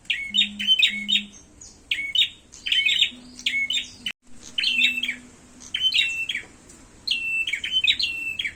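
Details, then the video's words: Fighting call of a prinia: rapid bursts of high chirps ending in a level buzzy trill, repeated almost continuously with brief gaps and one short dropout; a faint low electrical hum runs beneath. "suara burung prenjak tarung"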